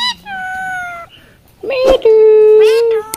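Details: Indian ringneck parakeet at the Mirpur 1 Friday bird market in Bangladesh, mimicking human speech. A long, steady, voice-like tone falls slightly. After a pause comes a short rising note, then another sustained flat tone, like drawn-out spoken syllables.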